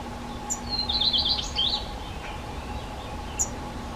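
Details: Black redstart song in a settlement: a brief, high, scratchy phrase of clustered crackling notes, followed by quiet, with a steady mechanical hum and a garden redstart singing in the background.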